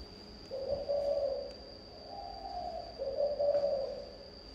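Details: Spotted dove in thổ âm song, giving three low, throaty coo phrases in quick succession, each slightly wavering. Faint ticks and a persistent high tone sound behind.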